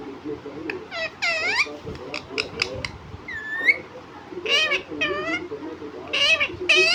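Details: Pet parrot that talks, reportedly repeating "mummy papa", gives strings of raspy, speech-like syllables in short groups, with a brief rising whistle in the middle and louder falling bursts toward the end, indoors.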